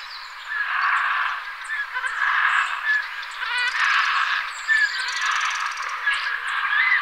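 Black stork giving a continuous wheezy, rasping hiss in uneven bursts, with thin high chirps from small birds in the background.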